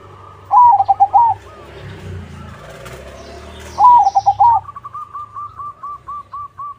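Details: Zebra dove singing the crossing style as a lure for other doves. Two loud phrases of warbled, rolling coos about three seconds apart, followed by a soft run of evenly spaced short notes from another dove.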